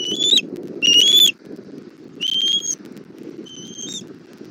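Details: Bald eagle at its Southwest Florida nest, 17:30 on 1 April 2024, mother bringing dinner to the chick: four high thin whistles in an uneven series, the last one softer, over a background of low rumbling.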